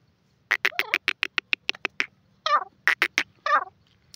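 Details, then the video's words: Grey francolin, known locally as Sindhi teetar, calling loud and clear: a quick string of sharp clicking notes mixed with a few harsher, descending squawky phrases, ending with one last short note. "sindhi teetar awaz,saaf and onchi awaz dakhni teetar"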